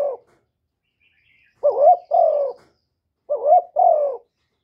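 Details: Cooing spotted dove, recorded to stir wild birds: two paired phrases, each a short rising note followed by a longer, gently falling hoarse coo, with quiet pauses between.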